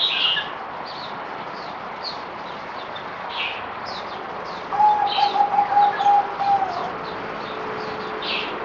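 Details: Zebra dove kept as a cage bird, fourth day of deworming, recorded 17 April 2020: one quick rippling trill of soft coos lasting near two seconds, while other small birds tweet sharply around it.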